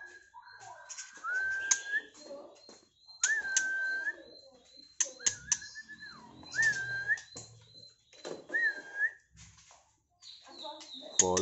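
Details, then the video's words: Caged Medan-type white-rumped shama, a contest-hanging champion prospect, gives clear whistled phrases that level off or rise and fall, mixed with sharp clicking strokes and high ticking notes, with a man talking briefly in a small room. "MB MEDAN calon GACO di GANTANGAN LOMBA"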